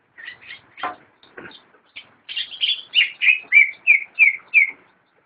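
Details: Greater green leafbird from a bird collection, caged, delivering a clear song: a few scattered chips, then a regular series of about eight loud slurred whistles, each dropping slightly in pitch, evenly spaced.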